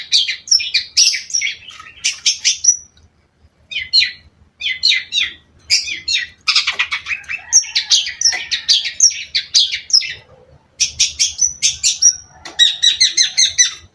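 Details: Long-tailed shrike singing in lively phrases: rapid scratchy chatter and high twitters, broken by short pauses, with varied whistled notes woven through the bursts.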